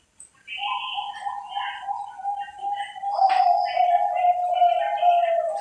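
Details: Captive perkutut Bangkok zebra dove from a breeder in Cilacap, Central Java, Indonesia: a long, low, steady cooing tone that breaks into quick pulsed coos halfway through, over a faint high constant whine.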